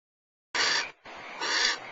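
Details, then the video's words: Barn owl pair at Starr Ranch, male and female trading food back and forth; a harsh, hissing screech burst after a moment of silence, then a longer rasping hiss that swells briefly louder before trailing on. "Starr Ranch Barn Owl - Food exchange with Mr Owl"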